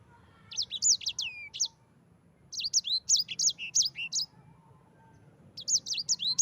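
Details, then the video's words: Training recording of a yellow-fronted canary: quick clusters of high, bright whistled notes, some rising and some falling, delivered in bursts about a second long with silent gaps between phrases. "Suara Burung Sanger EDEL SANGER NGEROL Ampuh untuk pancingan sanger cepat ngerol gacor."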